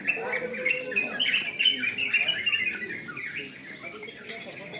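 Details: Sooty-headed bulbul song at an evening contest, a loud burst of fast, rippling chirps and warbled notes that tapers off, with a sharp click near the end and faint talk behind.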